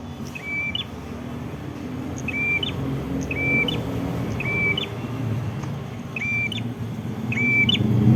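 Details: Red-headed prinia recorded in a village in Ngawi regency, East Java, repeating a short flat whistle that hooks sharply upward, about every second, with traffic rumble rising steadily in the background.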